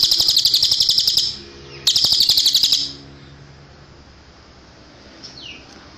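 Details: Cililin tutor recording for caged songbirds: two bursts of fast high buzzy trilling separated by a short pause, followed by quiet and one thin downslurred whistle.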